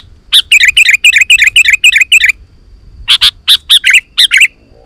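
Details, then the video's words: Sooty-headed bulbul in lively full song, a sound used to call wild bulbuls into answering and singing back: a fast run of about nine bright, chattering notes, then a short pause and a series of sharp separate chirps. "Suara Burung KUTILANG GACOR"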